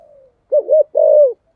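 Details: Short burst from a caged decoy spotted dove, 'giọng thổ' style: a faint murmur, then a double coo and one long, slightly falling held coo.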